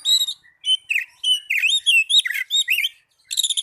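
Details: Oriental magpie-robin singing, a recording meant to prompt lazy caged birds to sing: quick run of varied clear whistles, slurred and wavering notes and scratchy chips, nearly continuous for three seconds, then a short gap and a final burst.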